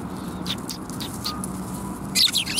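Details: At a Tenmangu shrine in Japan on 23 December 2021, sparrows call with faint high chirps early on, then a loud burst of sharp, tumbling chirps near the end, over a constant low hum.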